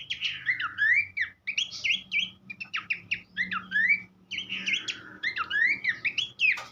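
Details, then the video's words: Horsfield's babbler in full tutor song for songbird training, a rapid varied stream of whistled slurs, trills and chattering notes in four bursts separated by brief gaps, soft hum underneath. "vokal mewah sang guru masteran khas pelanduk semak"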